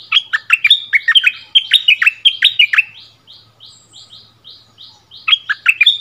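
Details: Bulbul song duel with a territory holder on the bird's former territory: a long, loud run of liquid whistled phrases, then a row of faint high chips, closing with another bright, warbled burst.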